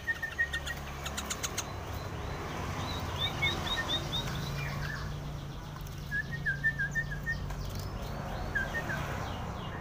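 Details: A tame sooty-headed bulbul singing actively. Short bright whistled notes come in quick chains, one burst early, a rapid run around three seconds and another near six seconds, over a steady low rumbling background.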